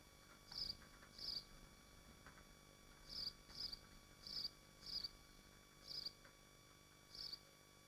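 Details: Swifts nesting in Machynlleth in Wales's Dyfi Biosphere, captured by a nest camera: eight sharp, buzzy, high-pitched screams in irregular bursts, some paired closely, over faint steady hum.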